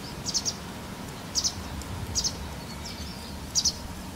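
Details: High, sharp double-note chirps from a white wagtail shortly before dusk on 12 April 2017, four call pairs spaced irregularly, with a faint thin whistle in between and soft low background noise.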